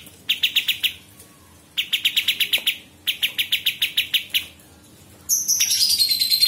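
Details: Kapas tembak, the sooty-headed bulbul, used as master audio for training songbirds: three bursts of rapid, bright repeated chips separated by short pauses, followed by a higher, thin twittering from another bird.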